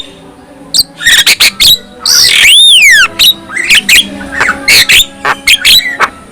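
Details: Javan myna singing to provoke rival mynas into song and agitation: clusters of harsh squawks, a long arching whistle that rises and falls, then more chattering notes and scratchy upslurs.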